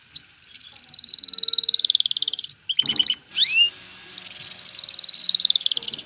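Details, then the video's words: Male canary courting a female to mate and start nest building: a long fast silvery trill, a brief harsh burst with quick notes, a rising slur, then the rapid trill resumes. "اقوى تغريد ذكر الكناري لتجهيز انثى الكناري للتزاوج و تحفّزها على بناء العش"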